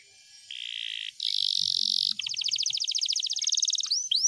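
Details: Canary in long rolling song: a steady buzzy trill, a higher and louder sustained buzz, then a long run of quick pulsed notes, finishing with a few sharp upward-sweeping whistles.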